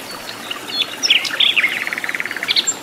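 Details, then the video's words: Flycatcher in the wild giving a quick jumble of high twittering notes that runs into a fast series of evenly spaced clipped chips, about a dozen in a row, ending with thin high whistles. "KICAU BURUNG SIKATAN LONDO GACOR DI ALAM LIAR"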